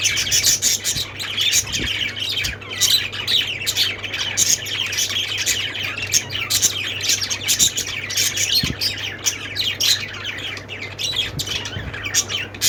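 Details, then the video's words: Budgies, with lovebirds and parakeets named, keep up a long continuous chorus of thin rapid tweets and warbles, many birds at once, over a persistent low hum. "budgies sounds"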